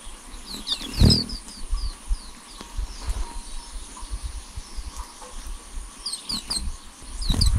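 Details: Thin, high flowerpecker chick squeaks from a nest filmed over 11 days, in quick downslurred bursts early on and again near the end, over low thumps and rumbling background noise.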